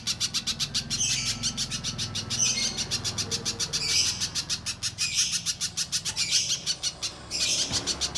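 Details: Little spiderhunter, recorded as a lure to trigger singing in other spiderhunters. Fast strings of high chips are broken by short denser, louder flurries, with a faint low rumble underneath.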